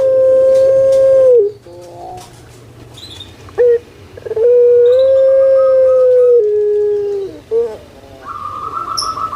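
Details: Spotted dove of the puter pelung type, kept as a pet in Indonesia, gives a long flat sustained coo, a short break with brief notes, then a second drawn-out tone stepping down in pitch.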